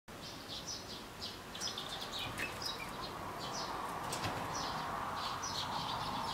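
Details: Pet Java sparrow indoors, 24 June 2016, giving soft, quiet "pipipi hyuhyu" chirps, several each second, thin and high, over a steady background hiss; wild sparrows outside sound louder.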